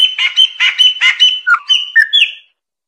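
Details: Chopi blackbird singing a rapid series of rough, slurred notes, followed by a few clearer whistled notes that drop and then rise, ending after about two and a half seconds.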